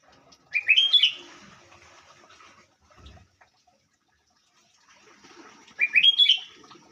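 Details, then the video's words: Sooty-headed bulbul (kutilang) heard during a coffee break: two short, bright whistled phrases of quick rising notes, about five seconds apart, with a soft watery background between them. "dengerin burung kutilang"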